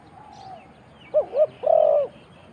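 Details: Spotted dove cooing in Thailand: a soft low coo, then a quick wavering two-part note followed by one long, steady, mellow coo, all low-pitched and clear against a quiet background.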